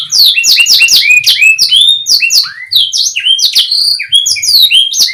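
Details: Canary pouring out a dense, continuous song of sharp, descending and rising whistled chirps, loud and varied, with little pause between notes.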